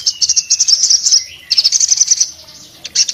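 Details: Orange-headed thrush in full song, delivering two bursts of quick, high-pitched chattering notes with a faint sliding whistle beneath, and a short final flurry.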